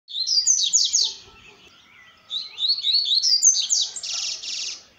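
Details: Double-collared seedeater singing at dusk: two loud phrases of high, quick chirped notes that climb and then finish in a fast buzzy trill, with a short quiet gap between them.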